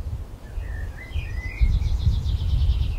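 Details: European robin feeding on a branch, recorded 26 February 2020: thin high whistled notes sliding between pitches, then a fast shimmering trill of repeated high notes, over steady low rumbling background noise.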